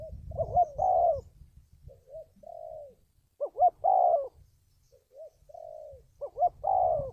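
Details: Spotted dove coos used as trapping lure: three phrases of two short looping notes and a long falling coo, with softer answering coos between them and low rumbling background noise.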